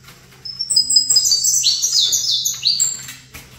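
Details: Saffron finch song given while facing another bird. After a quiet start comes a dense cascade of high sliding whistles, then a few shorter notes, with a continuous low electrical hum behind.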